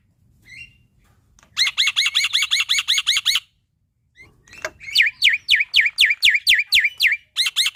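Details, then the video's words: Male Javan pied starling song meant for training young starlings: an opening short whistle, then a rapid train of about twelve repeated sharp, harsh notes, a brief gap, then a long series of swooping, descending whistled notes. "Masteran Burung Jalak Putih Gacor Full Isian Untuk Jalak Nusa / Jalak Pito Muda"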